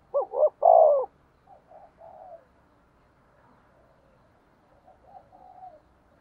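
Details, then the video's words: A spotted dove kept as a decoy for luring wild doves gives one loud phrase of two short notes and a long coo, then several quiet, softer coos trailing off. "Tiếng Chim Cu Mồi gáy gù đấu giọng"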